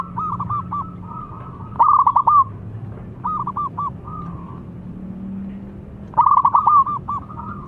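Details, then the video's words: Zebra dove song meant to provoke rival doves into answering: two loud bursts of rapid, stuttering coo notes, separated by softer rolling, trilled phrases, all at one mid pitch. "Si Paling Bikin Emosi Lawan Perkutut Manapun Langsung Nyaut Setiap Dengar Bunyinya"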